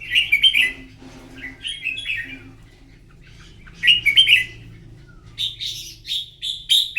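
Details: Morning singing contest of a red-whiskered bulbul: lively warbled phrases of quick chirpy notes, repeated in bursts about every two seconds, with short pauses between.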